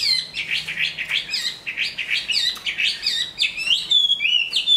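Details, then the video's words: A hefty Chinese hwamei, good at song and at fighting, moulting into new plumage, pours out a rapid, jumbled stream of bright whistles and chirps. It closes with a long level whistle and a lower echoing phrase. "Họa mi bộ to hót tốt đấu tốt"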